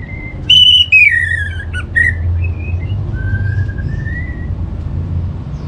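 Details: Orange-headed thrush lure song for a kept contest bird; a loud descending whistle with a few sharp notes, then softer drawn-out whistles trailing off over a low background hum.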